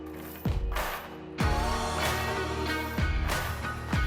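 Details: Rhythmic music with deep bass beats and sustained tones, with no animal voices anywhere.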